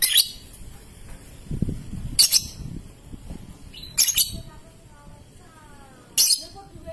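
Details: Lovebird, young (paud) bird, used to coax long ngekek and ngetik trills; four brief piercing squawks about two seconds apart, with faint thin whistled tones and low rumbling noise between them.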